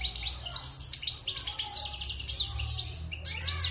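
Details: A wild-caught European goldfinch, held six months in a cage after its moult, delivers a continuous tinkling twitter of quick chirps and fluid trills, with a faint low hum beneath.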